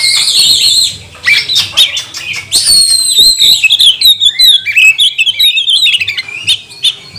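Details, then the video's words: Oriental magpie-robin song used as a lure to provoke other birds into singing: a dense, rapid stream of high whistles, buzzy trills and sharp chirps, with warbled wavering notes and quick slurred phrases packed closely together. "Kacer mana yang gak mau gacor, buka ekor, bongkar emosi dengan pancingan kacer ini"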